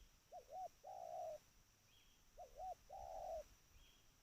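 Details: Call of a trained spotted dove: a pair of quick hooting notes leading into a long, level, purring coo, repeated twice at even spacing, with faint high thin notes behind.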